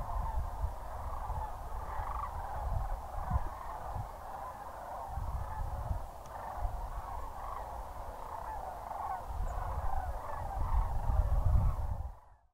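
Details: Sandhill cranes at Goose Pond Fish & Wildlife Area, Linton, Indiana, on the evening of January 28, 2021, under a rising full moon as they prepare to roost; a distant, continuous chorus of rolling, trumpeting calls over a low rumble of wind.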